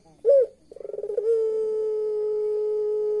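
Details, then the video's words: Laughing call of a puter pelung turtle dove, described as eerie: an abrupt rising note, a pause, then a quickening train of throbbing pulses melting into a long unbroken level hoot held to the end. "Burung Puter pelung bisa ketawa, ketawanya serem"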